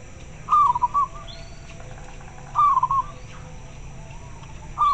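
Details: Local zebra dove answering another bird, its voice very clear: three short, rolling, pulsed coos, each under a second, spaced about two seconds apart over quiet background hum.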